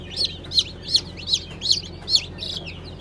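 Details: Newly hatched Brahma chicks (Light, Gold, Blue) from a 20 April 2020 hatch: seven bright, piercing peeps, each rising then falling, spaced roughly every 0.4 seconds, over a soft hum.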